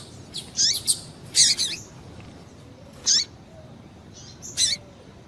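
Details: Calls of a female double-collared seedeater, used to make males sing: high, buzzy chirps in short doubled bursts, separated by pauses of one to one and a half seconds over a faint hiss.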